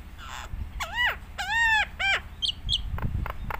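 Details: Nias hill myna singing as a model for other mynas: loud nasal, arched harmonic calls, three in a row, followed by short whistles and clicks, with some low rumble.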